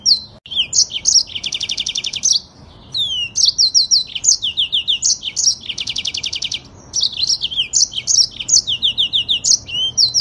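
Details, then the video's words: Imported African yellow-fronted canary in full rolling song, long and fast: dense high buzzy trills alternating with runs of quick descending whistles, nearly continuous with two short pauses. "AUDIO MASTER BURUNG MOZAMBIK FULL NGEROL PANJANG DAN SPEED RAPAT"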